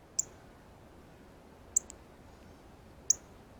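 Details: Male Northern Cardinal feeding on seeds from a ripe banana at a feeder, repeating its feeding chirp: three short, high, sharp chips roughly one and a half seconds apart, the middle one followed by a fainter tick.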